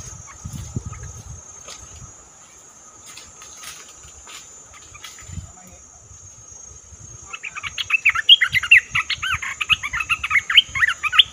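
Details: Red-whiskered bulbul lure recording used for trapping; after a quiet stretch with faint low thumps, a burst of rapid, chattering, warbled notes starts about two-thirds through and carries on loudly to the end.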